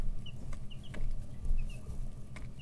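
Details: Brooder chicks between 11 and 13 days old give a few thin, high, slightly falling peeps, about five in under three seconds, against loud low rumbling and soft knocks.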